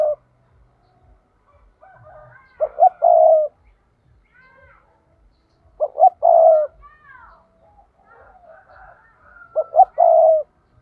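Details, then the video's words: Spotted dove decoy used in trapping, calling in the urging 'thúc' style: three phrases about every three and a half seconds, each two quick low coos then a longer steady coo, with soft chirps of other birds between phrases. "Chim cu gáy thúc || tiếng chim cu gáy mồi chuẩn cực hay dùng kích bổi hiệu quả nhất"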